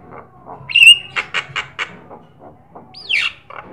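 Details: Black-winged starling song meant to stimulate and tutor other birds: a clear level whistle, then a fast run of five harsh chattering notes, quiet mutters, and a steeply falling screechy whistle.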